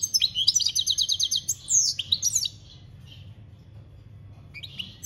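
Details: European goldfinch singing, recorded 2021, described as campero: a fast run of bright, evenly spaced tinkling notes, then a few twisting twittered phrases, ending in near silence with only a faint chirp near the end.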